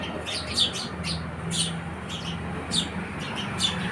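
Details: Several quick, bright house sparrow chirps, some doubled, with a low humming drone beneath.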